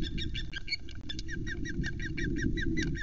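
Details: Female osprey flying from a pole tree to her nest at Loch Arkaig, announcing her arrival as usual; a fast series of short, clipped whistled notes repeated several times a second, with wing flaps and low rumbling background.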